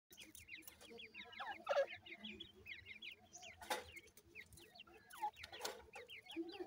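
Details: Francolin chicks while feeding: a dense chorus of short, thin peeps that slide up and down, overlapping almost continuously, with sharp broadband taps and clatters scattered throughout.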